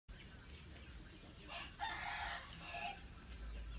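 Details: Hmong black chicken giving a loud, harmonic drawn-out call lasting about a second and a half, rich mid-range tone with a shorter second burst afterward, over steady low rumbling background noise.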